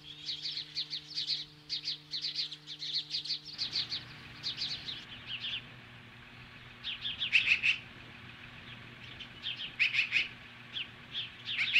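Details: At a Lolo, Montana nest on a July 2015 morning, an Osprey confronting magpies gives steady strings of high, squeaky chirps, pausing briefly, then returning with louder, sharper notes in short bunches.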